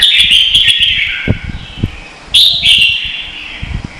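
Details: Red-whiskered bulbul in Vietnam singing in contest style, its song used as a lure to train birds: a loud run of warbled, whistled notes, a pause, then another bright burst, with soft tapping knocks underneath.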